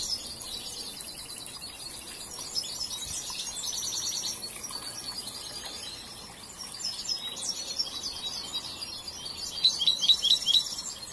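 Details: Young European goldfinch still learning its song after training gives scattered high twitters and short buzzy trills, ending with a bright run of rapid repeated notes.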